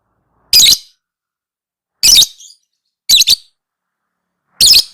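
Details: Lovebird chirping in a recording used to train other lovebirds: four harsh, shrill, high chirps spaced about one to one and a half seconds apart, with silence between them.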